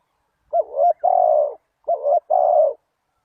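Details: Spotted dove call used as a lure for wild doves: two clear, low, mellow coo phrases, each a short wavering coo followed by a longer steady one, with no other sounds.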